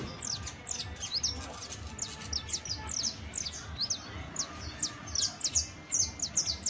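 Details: Saffron finch song used to help Creole canaries: steady stream of bright, high, downward-slurred chirps and rapid twitters, with low background noise.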